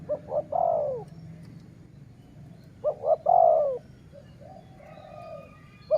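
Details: Decoy dove in sai muang style cooing: two phrases with a long pause between, each made of quick stuttered notes then a drawn-out falling coo, a soft low coo following later.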